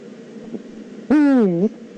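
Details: Eurasian eagle-owl, Eifel, 9 September 2014: a single harsh, buzzy, harmonic call of just over half a second that dips in pitch and then rises slightly at the end, preceded by a soft click.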